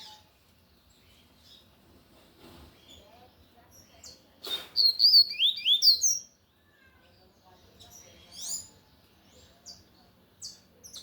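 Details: Lined seedeater (coleiro de gola, tui tui style) singing loudly: a rapid burst of high, looping whistled notes, followed by scattered short chirps in a quiet setting.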